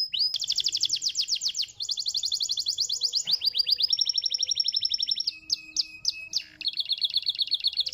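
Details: Canary song used to stimulate other canaries to sing: fast high trills of rapid repeated notes, switching between rolling tours, then a few slurred whistled notes and a closing rapid trill.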